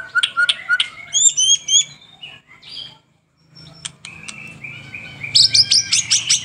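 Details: White-rumped shama song from a lure recording for caged birds: mixed whistles and slurred phrases, a brief silence, then a rapid run of short high notes against steady low background noise.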